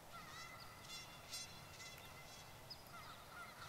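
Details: A flock of nearly 30 Canada geese on a lakeside school lawn honks in overlapping, nasal, trumpet-like bursts. The birds swing their necks hard as they call, with several calling at once over a steady hiss.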